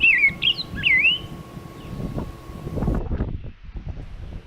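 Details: Reference recording from Cornell of a Rose-breasted Grosbeak, a seed eater in the cardinal family, giving a rich, sweet warble of quick rising and falling whistled notes for about a second, then fading into low background noise.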